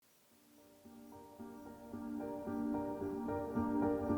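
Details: Soft ambient instrumental music with gently repeated plucked notes builds in volume, and no animal is heard.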